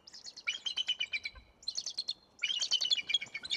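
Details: Pair of bald eagles at Decorah, Iowa, on 21 November 2022, calling while driving off an intruder: two rapid staccato series of high, chittering notes, the second burst starting after a short pause.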